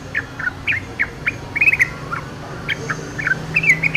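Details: Yellow-vented bulbul singing in the wild: short bubbly chirped notes and brief warbled phrases, given in quick bursts with small gaps, over a low steady rumble of background noise.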